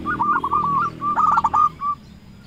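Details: Short sequence from a local zebra dove calling rivals: two quick phrases of clipped, rolling coos ending in a single soft note, with low background noise.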